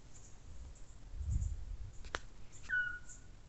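A Eurasian scops owl gives one short, clear whistled note that dips slightly at the end, over low night rumble with a sharp click just before.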